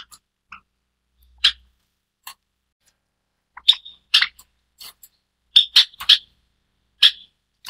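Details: A white Java sparrow (Lonchura oryzivora, white variety) gives short, sharp high chips and clicks, irregularly spaced and sometimes in quick pairs, with a few soft tonal notes.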